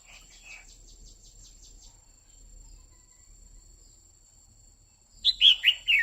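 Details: Female red-whiskered bulbul, singing continuously to stir a male, gives a 'quých kiu' phrase at the end: a loud run of four sharp whistled notes, each dropping in pitch. Rapid high ticking, like an insect, fills the first seconds.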